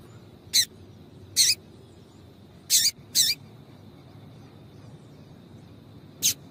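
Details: High sharp chip calls of a female double-collared seedeater, used to excite males into song, given singly and in a quick pair with pauses of about a second between.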